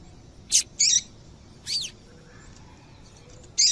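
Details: Female double-collared seedeater call, used to make males sing: four short, high, sharp chip notes in about three seconds, some slightly buzzy, over a quiet background.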